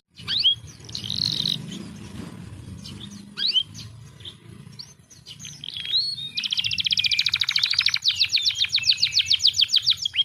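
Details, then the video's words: Canary singing, used as a lure to get lazy birds singing: scattered sharp chirps over a low rumbling background at first, then a dense, fast, even trill of high rapid notes fills the second half. "PANCINGAN BURUNG KENARI MALAS BUNYI SUSAH GACOR"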